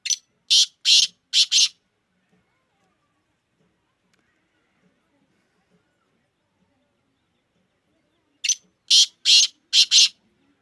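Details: Captive Black francolin, called kala teetar, of the fast-calling type known as speeder. It gives a harsh, grating phrase of four or five rasping notes, then long silence, then the same phrase again.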